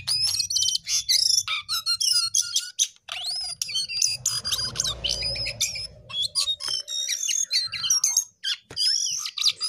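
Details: Gacor jongkangan pouring out a dense, fast stream of high twittering chirps, trills and sliding whistles with hardly a break; brief low noise in the background.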